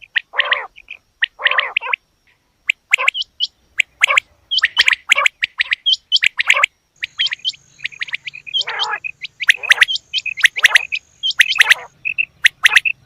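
A quail gives quick bursts of harsh, chirping and gargling notes, several to a second, in broken runs, with a faint low hum and a thin steady tone behind.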